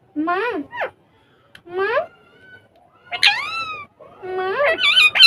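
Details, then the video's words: Ringneck parrots on a table talking in Urdu or Hindi while having fun. Rapid, sliding, speech-like phrases rise and fall in pitch, with bright harmonic overtones. The last bursts are louder and shriller. A quiet room sits between them. "Ringneck Parrots Talking And Having Fun On Table In Urdu Hindi Talking parrot mitthu"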